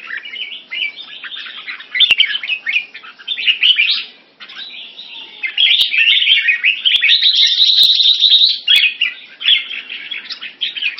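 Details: Singapore-kept Red-whiskered bulbul (Jambul) with French molt, dueling in song with another bulbul and several birds. Long stretch of overlapping warbles and chirps, louder and more sustained in the latter half, with scattered clicks.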